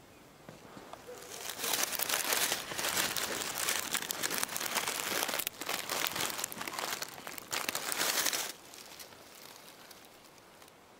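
Dry crinkling and crunching, like leaves or litter being handled, with no animal voice heard.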